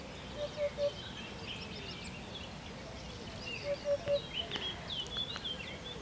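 A Hoopoe gives two sets of three soft, hollow, low 'oop-oop-oop' notes about three seconds apart, with thin chirps of other birds behind.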